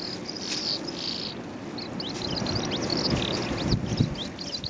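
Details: Calandra lark singing on the Golan Heights, Israel, on 11 April 2011: rapid, scattered high chirps and short trilled notes tumbling together in a continuous jumble, over a steady low rumble of wind or background noise.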